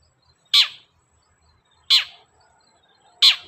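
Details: Long-tailed shrike, used as a lure to make other shrikes sing: three loud harsh downward rasps, spaced well over a second apart.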